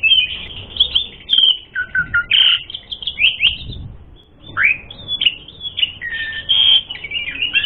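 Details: Jalak suren, the Asian pied starling, in a lure recording meant to rouse fighting: a busy run of bright whistles, slurred chirps and low buzzy phrases, a short pause, then more varied rising and falling notes.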